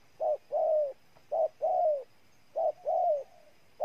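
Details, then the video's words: Spotted dove from Ninh Thuan, Vietnam, cooing: paired notes, a short coo followed by a longer slurred, slightly falling coo, the pair repeated about once a second with brief pauses. "Cu gáy Ninh Thuận"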